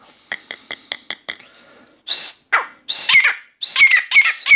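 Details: Grey francolin (Dakhni teetar), a new bird singing in a room: a few soft rhythmic clicks, then loud piercing high notes that build into quick shrill repeated phrases.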